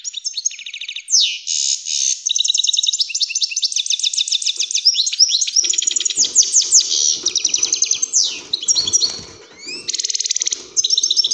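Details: Continuous, powerful European greenfinch song for prompting other birds to sing and mate: dense rolling trills and twitters shifting rapidly in pitch, with a brief sweeping buzz near the end.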